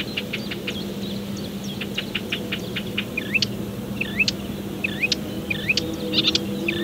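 A Marsh Warbler sings a fast, varied run of sharp high notes, then looping whistled phrases and chattery bursts, over a steady low hum.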